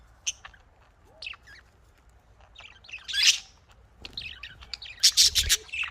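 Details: Budgerigars kept for breeding give scattered short chirps and squeaky notes, some rising and some falling, with quiet gaps between bursts. A denser cluster of bright chattering notes comes near the end.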